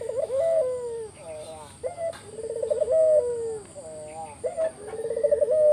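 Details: Spotted dove in energetic 'gacor' singing, used as a lure so other doves answer; low rolling coos with a quavering trilled middle, phrases repeated roughly every two to three seconds, faint high chirps from another bird.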